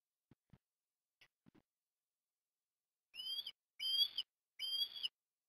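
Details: Osprey during a breakfast fish feeding for a chick at Port Lincoln, Australia, December 17, 2021; a few faint soft taps, then three clear, loud, upslurred whistled calls spaced under a second apart.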